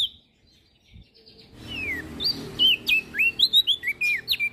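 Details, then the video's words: Olive-backed tailorbird, used as master song for songbirds, breaks from near silence into a brisk sequence of falling and rising whistled notes, about three to four per second, over a soft low hum. "Burung Prenjak Daun Gacor Isian Pas Buat Masteran dan Pancingan Opior Jambul Macet Bunyi"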